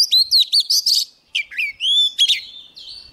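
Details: Energetic song from a young Oriental magpie-robin approached by a wild bird, with rapid stuttering chirps followed by long, clear whistles that rise and fall, ending on a sliding note.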